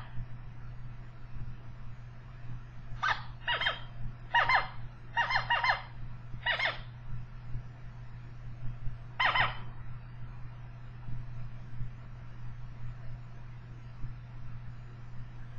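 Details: Zebra finch in a laboratory choice arena used for call-recognition experiments gives a short series of nasal, buzzy calls over a steady low mechanical hum.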